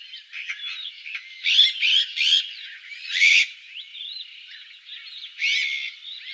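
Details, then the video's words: Song of the azure-winged magpie, made of rasping buzzy bursts and scattered slurred whistles, several loud harsh phrases clustered together, then a pause and another burst, over a faint continuous high tone. "Как поёт Сорока голубая (Cyanopica cyana)"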